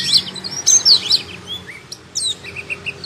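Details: Oriental magpie-robin song delivered with its tail spread, made of piercing high sliding whistles and sharp chips, followed by a series of short, evenly spaced clear notes.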